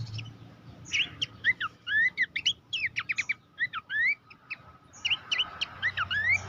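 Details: Horsfield's babbler master song for competition songbirds: lively sequences of crisp whistles and rising slurs, delivered in rapid clusters with brief gaps and a faint low murmur beneath.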